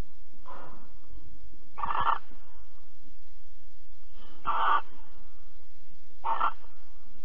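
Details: Barn owl calls recorded at Alphen on 22 April 2020, 21:37, while the birds were mating and cuddling. Four harsh, breathy screeches come at uneven intervals of two to three seconds, with light rustling between them.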